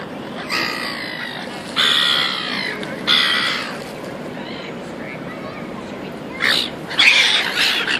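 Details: Gulls calling in Auckland, New Zealand: several loud, coarse, drawn-out squawks about a second apart, then quieter gaps and a final burst of shrill cries.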